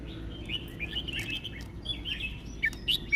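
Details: Caged red-whiskered bulbul sings a run of bright, bubbly whistled notes, several a second, over a low rumble of background noise.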